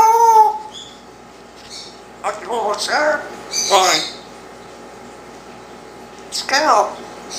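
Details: Young male Congo African grey parrot, one year old, talking indoors; a steady harmonic tone opens, followed by several breathy, speech-like phrases with sweeping pitch and a final squawky word after a pause.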